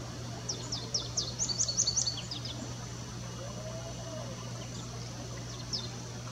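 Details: American goldfinch song: a quick series of high, sharp twittering notes for under two seconds, then quiet with a faint later note or two, above a persistent low hum.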